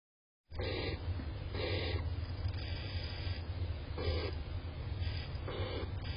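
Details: Barn owl (Tyto alba), call.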